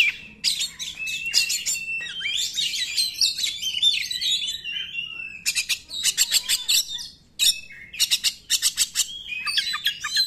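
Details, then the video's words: Oriental magpie-robin performing 'nembak' song to coax silent magpie-robins. Rapid staccato rattles, a long jumbled warbling passage, more bursts of fast clicks, a short gap, then further rattling phrases and whistles. "KACER NEMBAK, UNTUK PANCINGAN KACER YANG TIDAK GACOR"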